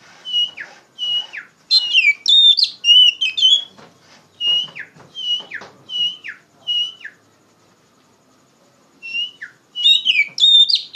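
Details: Loud-voiced Oriental magpie-robin, kept as a singing bird to tutor other songbirds, repeating a clear whistled note that bends sharply downward, mixed with quick warbled flourishes and chirps, then a silent gap before another rich burst.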